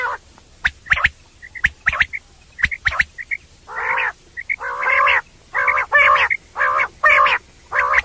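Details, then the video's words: Common quail night call for hunting: quick sharp high notes in groups of two and three, then a steady run of rough, buzzy bursts about once a second. "Batair sounds common Quail sounds Batair ki awaz rat k liya special awaz"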